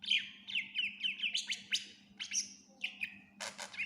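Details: Cucak ijo singing full isian, a recording offered as a master for other songbirds: a fast series of rhythmic, repeated whistled motifs roughly four per second, then sharp high slurs and a harsh noisy burst, over low hum.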